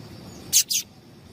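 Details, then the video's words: Female rusty-collared seedeater calling to excite a male into song: two short, very high chirps in quick succession with a faint background hiss. "Piado de Fêmea de Papa capim para Esquentar Papa capim"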